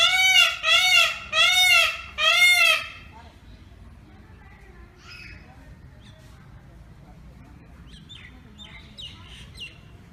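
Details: Peacock at a home calling four times in quick succession, each a loud, arched, nasal wail about half a second long, followed by quieter background chatter and faint distant calls.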